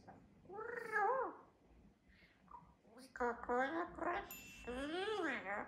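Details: Captive double yellow-headed amazon parrot from Oslo, living on Vesterøy island, talking and praising itself: clear, high, speech-like phrases with sharp rising and falling tones, bursts of quick syllables, indoors in a small room.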